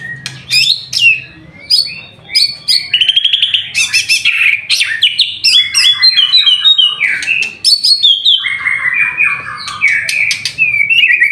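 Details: Energetic white-rumped shama song during an afternoon bath. It is loud and varied, with fast trills, buzzy rattles and bright rising and falling whistles that flow almost without pause, and a faint low hum at the start.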